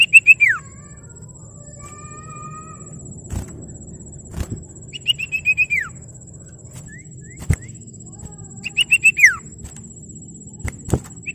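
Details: Common iora singing to call rivals and stir other ioras into song: loud clear whistled phrases of rapid notes sliding steeply downward, repeated several times with pauses, plus a thin level whistle, over low rumbling background noise and occasional clicks.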